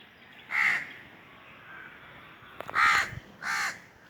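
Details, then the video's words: Crow uttering three separated raspy caws, with a short knocking or thudding sound just before the second one. "Crow call | Crow sounds | Crow sound effect"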